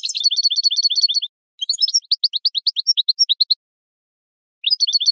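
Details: Goldfinch training song for caged birds: a fast twinkling trill, a short pause, then a run of separate clear chirps, silence, and the trill returns.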